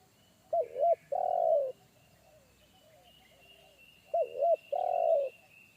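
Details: Spotted dove of the forest, wild, calling in a heavy bass one-coo style that made a young decoy dove retreat; two phrases of paired short wavering coos and a long drawn coo, over a steady thin high buzz.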